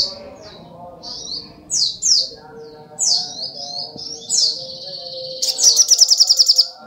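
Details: High, thin sunbird song from a brown-throated sunbird: separate sliding whistles and squeaky slurs, ending in a fast rattling trill of evenly repeated notes.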